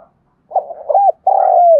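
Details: Spotted dove of the Đồng Nai type, Vietnam, calling as a lure bird: a hoarse rattling lead-in rising into an arched coo, then one long steady coo sliding downward at the close.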